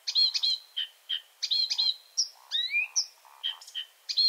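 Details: Marsh Warbler in nocturnal song: busy chattering phrases and rising whistled slurs at high pitch, while a Eurasian Woodcock flies over, with low grunting notes sounding beneath the song.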